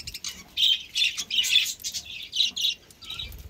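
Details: Pet budgies kept cool with summer green leaves, giving quick bursts of high, scratchy chirps and squawky chatter, several birds calling over each other.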